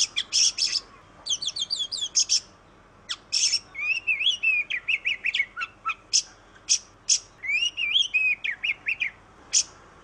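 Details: Kacer or oriental magpie-robin, an Indonesian black-and-white songbird; melodious song alternating buzzy rasps, rapid chirp trills and lower rising-falling whistled phrases, repeated over several seconds.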